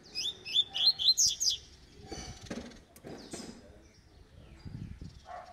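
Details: Double-collared seedeater, eight months old, in tui tui (vibro) song style: a quick series of about six high, clipped, repeated notes in the first second and a half, then soft thumps, rustling and faint low noises.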